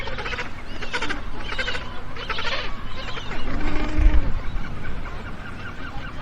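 Magellanic penguin giving harsh, donkey-like braying notes in a quick series of pulses, then a longer drawn-out note, over steady low rumbling wind.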